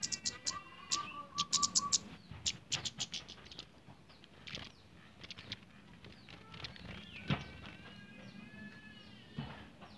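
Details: Captive-bred male orange-headed thrush courting a female: a held whistled note, then bursts of chirps and warbling phrases, mixed with sharp clicks and wing or cage flutters.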